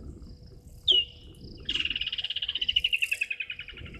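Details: Juvenile martial eagle in a tree across Gowrie dam in Djuma Game Reserve, Sabi Sand Wildtuin, South Africa, 2 May 2023, 16:07; one sharp short note, a pause, then a quick pulsing series of whistled notes falling gently in pitch.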